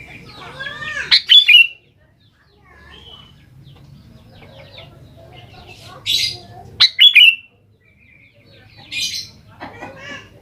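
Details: Sooty-headed bulbul song played as a lure for young birds: short bubbly phrases recurring every five to six seconds among scattered thin chirps and faint twitters.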